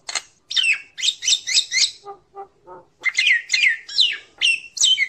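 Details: Common myna calling the flock with bright chirping phrases, short soft low gurgling notes in a brief pause, then loud squeaky downslurred chirps repeated in quick succession.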